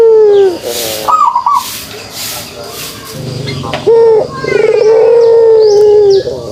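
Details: Low descending coo, a pause, then a pulsed rise into a long, level humming kugeruk note from a pelung turtle dove.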